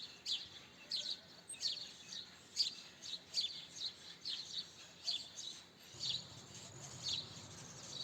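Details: House sparrow chirping: short bright chirps repeated roughly every second over a soft, steady background hiss, some notes doubled, with no other clear sounds.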